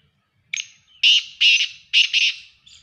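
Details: Black francolin, known locally as Sindhi or kala teetar, calling: a thin high note, then four loud, harsh, grating bursts delivered in two close pairs, ending with a faint trailing note against a quiet background.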